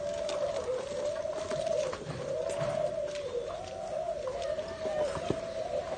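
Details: Spotted dove pair from Nam Định, Vietnam, 18 April 2022: low cooing in repeated rounded swells about once a second, smooth and mellow, over light background hiss and occasional faint clicks.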